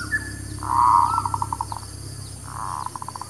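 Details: Zebra dove song used as a lure for trapping birds and for new birds: a loud, slightly wavering cooing note, then a run of short staccato notes that quickly fade, followed by a softer second phrase with clipped notes.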